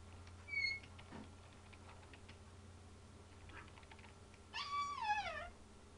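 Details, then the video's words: Ten-year-old pet African grey parrot indoors: a short clear whistle, scattered clicks, then a longer harmonic sliding wail that falls in pitch, over a steady low hum. "Bemer the African Grey Talking/Sound Effects"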